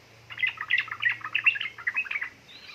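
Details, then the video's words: Yellow-vented bulbul, presented as a female calling a male and used to lure lazy birds into singing: a dense run of bubbly, chattering notes over about two seconds, then a faint thin note near the end. "pancingan burung trucuk gacor ropel ngeriwik|| suara untuk trucuka bahan malas malasan bunyi"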